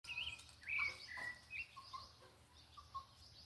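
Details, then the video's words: Thrush singing at dusk in the countryside on a small farm: clear whistled notes and short fluty phrases around the middle-high register, some slurred, then softer lower notes trailing off, with faint background birds and rural ambience. "Entardecer na roça com cantos do sabiá fica mais bonito."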